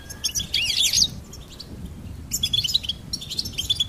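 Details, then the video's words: Goldfinch song with rapid, tinkling high twitters and slurred notes in two bursts, separated by a quieter gap of faint chirps. "Charming Goldfinch Peep"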